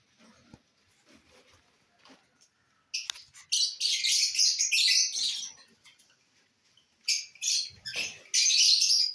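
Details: Lovebirds eating corn, where soft faint noises give way to loud bursts of shrill, rapid chattering calls from about three seconds on.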